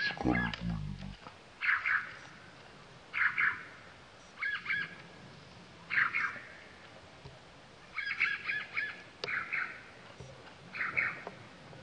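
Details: Male sultan tit recorded at Latpanchar near Siliguri, West Bengal, India, in February; short chattering bursts of rapid notes come about every one and a half seconds, opened by a brief low thump.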